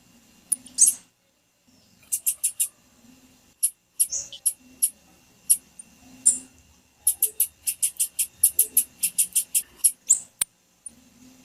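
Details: Female blue-black grassquit calls, meant to excite males: sharp, high, squeaky chips, first scattered singly and in short runs, then a fast series of about a dozen toward the end. A faint low hum runs underneath.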